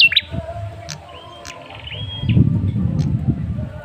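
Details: Male red-headed tailorbird calling, used as a lure to draw a response from other birds: a few short clear whistled notes, some drawn out and level, over low rumbling background noise.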